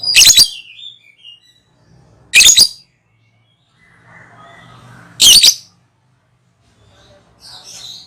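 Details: Lovebird ngekek call used for luring: three loud, rasping, shrill screeches spaced about two and a half seconds apart. Soft chattering and a faint low murmur fill the gaps.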